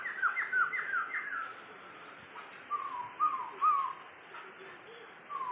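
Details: Tame Sumatran laughingthrush in captivity, owned for 20 years, sings quick clusters of clear whistled notes that slide downward, in short groups separated by pauses, moderately soft against low room noise.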